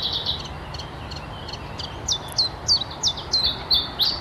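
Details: A common chiffchaff in a spring forest sings its mating song, a run of high, sharp notes, about three each second, in a faint then louder repeated chiff-chaff pattern over a quiet woodland hush.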